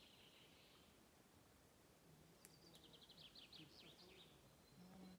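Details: Redwing singing its local dialect song on Åstholmen, 29 May 2021: one short, quick phrase of about eight high, clipped notes, each rising and falling, over steady low background noise.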